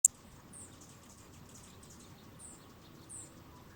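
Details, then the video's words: Hummingbirds competing at a nectar feeder in a backyard in the morning give three thin, very high, slightly falling chips, spaced irregularly, over a soft background hiss with a sharp click at the start. "เสียงนกธรรมชาติ Hummingbirds"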